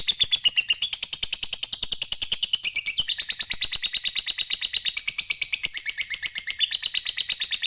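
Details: Long 'ngekek panjang' chatter of a fighter lovebird, a song used to rile opponents: a continuous rapid ticking trill, high and buzzy, with small pitch shifts roughly every two seconds and no pauses.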